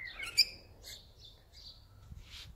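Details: A talking hyacinth macaw enjoying a shower gives a few short, harmonic chattering and speech-like squawks, one louder, then a brief hiss of splashing water.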